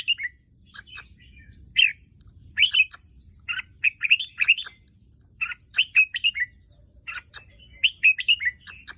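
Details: Kept red-whiskered bulbul, just over a year old, a breeding bird that fathered both albino and pied young last year, singing short bright warbled phrases in bursts of two to four notes, mixed with sharp dry clicks.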